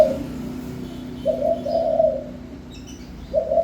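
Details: Spotted dove singing: low, soft coos in short phrases with pauses between them, over a steady indoor-sounding background hum.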